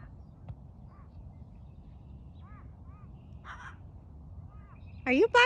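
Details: A pet macaw flying free at a park, said to talk while flying and scream, gives a sudden loud, harsh squawk at the very end after quiet seconds of faint chirps and distant voices.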